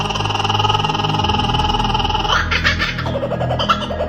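Indoor laughter, giggling and speech over background music, with no animal sound heard.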